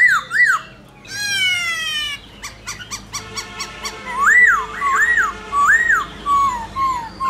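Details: Black-throated laughingthrush, khướu bạc má, giving its giọng rừng forest-voice song: arched whistled notes, a dry rattling passage, a burst of short clicks, then rounded rising-falling whistles in series.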